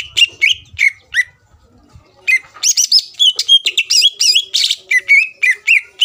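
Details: Greater green leafbird singing a lure song to make rivals respond: a few clear downslurred whistles, a short silence, then a dense, fast run of varied whistles and chirps.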